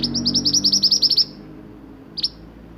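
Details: Sunbird in full 'roll nembak' song used for tutoring caged songbirds: a rapid, even trill of about a dozen sharp high chips over a second, then a pause and one lone chip.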